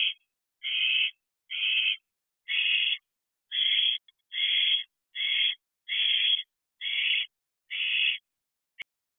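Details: Young owl in a nest box at night on 7 July 2023, feeding on a mouse as its parents slow their food deliveries: rhythmic, coarse hissing screeches, nine or ten bursts spaced about a second apart, with a faint click between.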